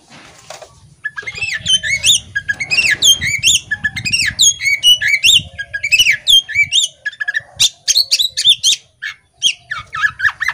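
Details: Female Oriental magpie-robin, caged and opening its tail, delivering a long varied song of whistled slurs and buzzy notes, rising in energy then breaking into separate sharp notes, with low hum early on.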